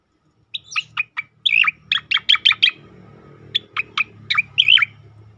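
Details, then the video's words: Cicakoreng, the striated grassbird, giving tembakan song meant for training and provoking other songbirds: a brisk run of sharp downward-slurred notes, several ending in warbled twisting phrases, over a low steady hum. "khass tembakan cicakoreng untuk masteran dan pancingan bunyi burung lain"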